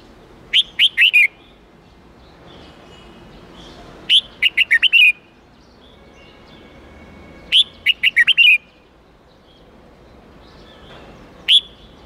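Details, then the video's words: Red-whiskered bulbul singing the wild-standard '8-9-10' style, for young birds to learn: three fast warbled phrases of five or six whistled notes about every three and a half seconds, then one isolated note. "Luyện Chào Mào Hót Giọng 8-9-10 Ép Chim Non Học Giọng Chuẩn Rừng"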